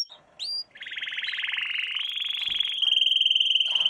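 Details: Canary singing as a training lesson for young birds: two quick rising notes, then a long rapid trill that climbs slightly and turns to a steady, fast, ringing rattle.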